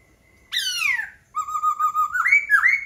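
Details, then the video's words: Laughingthrush singing: a faint flat whistle, then a loud, rich note sliding steeply downward, a brief gap, and a long wavering whistle that climbs sharply at the end. "Khướu hót hay."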